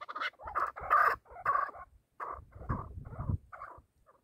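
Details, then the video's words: Chukar partridge kept for hunting: a few harsh, drawn-out clucking notes in two short bursts with a brief pause between, and a low thump underneath. "Бахси Кабкои шикори Кабк Keklik که و Partridge Chukar"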